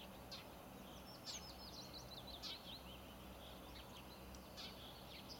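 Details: Bluethroat singing a varied, high twittering phrase of quick chirps and short slurred notes, packed closely together over a steady background hiss.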